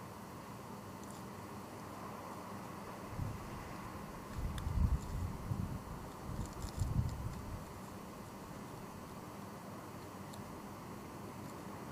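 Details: Low wind rumble and faint outdoor background noise with no animal calls heard.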